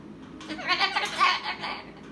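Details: Caged umbrella cockatoo, a rescue bird, chattering while getting ready for bedtime: a short run of soft, raspy, muttering syllables rising and falling in loudness over two seconds, with a quiet room behind.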